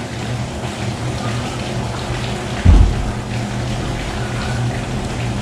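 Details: Steady rain patters over a low, constant hum, with one brief dull thump near the middle; no animal calls can be picked out.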